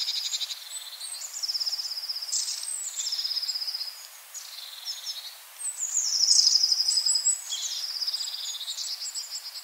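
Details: Long-tailed tit in a yard in Joroinen, Finland, gives a steady run of very high, thin calls and rapid buzzy, rolling trills, several each second, with no other sounds standing out.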